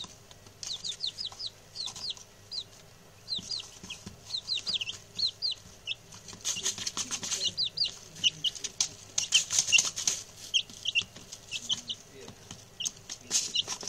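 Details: Six newly acquired male chicks, very chatty after settling in: long runs of high, falling peeps, thickening midway into dense overlapping calls mixed with sharp scratching and fluttering clicks, then thinning again.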